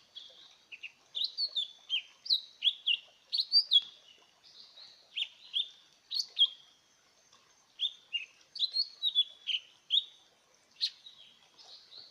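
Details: Decoy lesser green leafbird delivering a lively, continuous stream of high, clear downslurred chirps and whistled notes in rapid phrases, broken by short gaps, with faint twittering between phrases.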